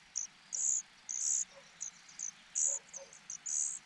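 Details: Hungry cuckoo chick in a host nest calling for food. Quiet, shrill, hissy begging notes come in uneven bursts, some long and some clipped, several per second, over faint background hum.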